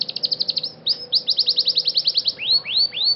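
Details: Scotch Fancy canary in training delivering a quick trill of falling notes, a run of repeated slurred chirps, then three loud rising swoops.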